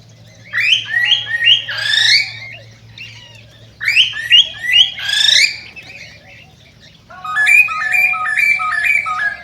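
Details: Cockatiel song used to stimulate breeding and mating: bursts of rapid stepped, whistled notes rising and falling in ladder-like runs, repeated in three phrases separated by short pauses, over a faint low hum.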